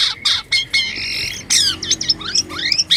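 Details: Harsh, squawky white-vented myna vocalizing in strange sounds: grating screechy bursts in quick succession, followed by twisting squeaks and short whistled slurs.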